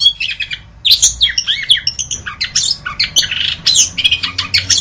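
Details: Varied, hurried song of the orange-headed thrush: squeaky high notes, harsh squawk-like calls and quick slurred whistles run together almost without pause, over a faint low rumble.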